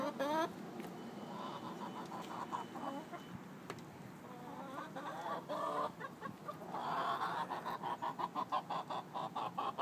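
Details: Several hens chiming in on the egg-laying song as one waits for a nest box: overlapping clucks and cackles against a noisy background, growing into rapid clucking toward the end.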